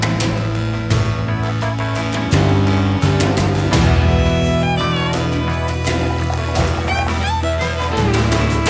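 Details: Instrumental music with bowed strings and steady low notes, with no animal voice heard.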